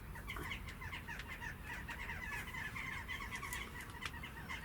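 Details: Jackdaws at garden feeders chatter in a busy flock, giving short, sharp 'chack' notes that overlap quickly and continuously over a low rumble of background noise.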